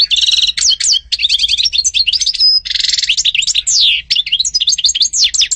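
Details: A European goldfinch delivers a lively, rapid song of tinkling trills, buzzy rattles and sharp downslurred whistles, run together without pause and recorded close with little background noise.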